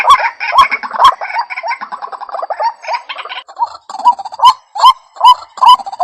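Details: White-breasted waterhen lure call for trapping: a jumbled run of quick rising notes that settles into spaced, clear upslurred calls with gaps of silence in the final two seconds.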